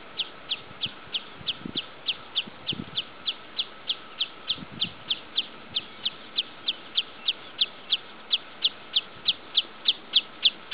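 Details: Wood sandpiper, a breeding bird, recorded 8 July 2013 at the Wrocław irrigation fields, Poland, gives sharp, high chipping notes, about three a second, in a long steady series over a faint constant hum.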